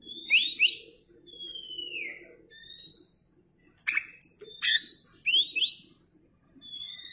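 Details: Oriental magpie-robin singing actively with tail spread, used as a lure for other birds: sparse high whistled notes, sliding and falling, some doubled chirps and sharp bursts, with quiet gaps between phrases.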